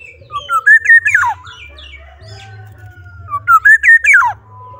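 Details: Black-naped oriole singing actively, giving two loud fluty phrases about three seconds apart, each a run of rich mellow whistles that rises then slurs steeply downward, with softer scattered notes between and a low hum beneath.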